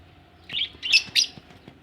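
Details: Budgerigars ready for laying eggs give three quick, bright, slightly scratchy chirps in just over half a second, against a quiet background.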